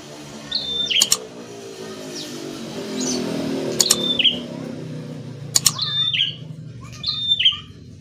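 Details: Ashy tailorbird phrases of high, falling slurred whistles come about every one and a half to two seconds, over a steady low hum with occasional sharp clicks.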